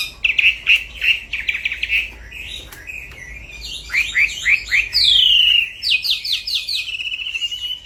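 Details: Striated grassbird recorded at night for luring and tutoring song: trilled, repeated chirps, then quick rising slurs and a long falling whistle, followed by a run of sharp notes and a sustained ringing tone.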